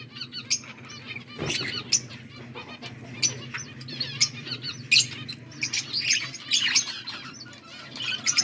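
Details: Pet budgies recorded August 14, 2024 give scattered chirps and chattering warbles, with a brief wing-flutter sound early on and a faint low hum beneath.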